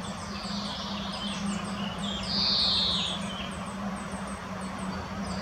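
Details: Female common chaffinch searching for food in the Botanical Garden in Munich, Germany, gives one clear, high, slightly falling call midway, with a low steady hum and faint ticking chirps behind.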